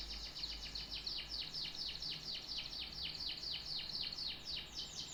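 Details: Canary delivering one steady trill of repeated downward-sweeping notes, about three or four per second, high and even throughout.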